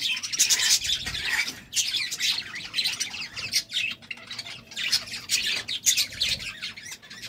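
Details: Pet budgerigars during love time, giving a dense, continuous run of high, scratchy squawks and chirps with rapid warbled notes, rising and falling in loudness without pause.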